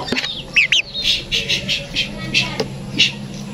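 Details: Tame sooty-headed bulbul in care meant to make it sing often. It opens with two sharp, rising-falling notes, then gives a series of short, bright chips about every third of a second, with a faint hum behind.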